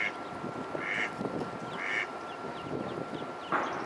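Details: Ducklings in a pond giving thin, high peeps about once a second, four in all. There is a steady background hiss of water and a constant faint hum.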